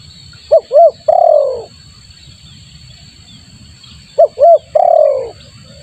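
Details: Spotted dove lure call used to attract wild doves: two short rising-falling coos, then a long rolling coo that slides downward, the phrase repeated after a pause. Low rumble and a steady high electronic whine run underneath.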